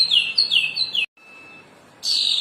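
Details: Cendana bird song from a bird kept for about a year: three high, thin notes sliding downward about every 0.4 seconds, then a brief pause and a rapid, buzzy high twitter.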